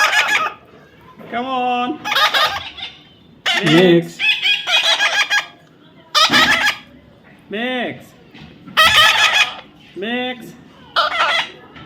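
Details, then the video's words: A young parrot being tamed gives a busy run of rough squawks alternating with short, arched, voice-like tonal calls, nearly continuous across the stretch. "natural funny parrot sound"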